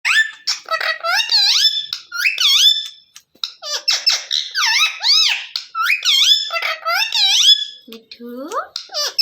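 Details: Pet green parrot with a red beak, said to be angry, gives rapid bursts of shrill, squeaky, rising-and-falling harmonic screeches in quick series over several seconds. Short pauses separate the bursts, and a lower rising squeal comes near the end.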